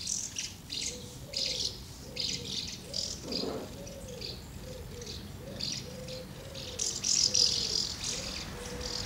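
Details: Flocking common house martins at two nests, feeding and flying out, 24 August 2012. Continuous high, scratchy chirping runs over a steady series of lower, rounded notes repeated roughly every half second.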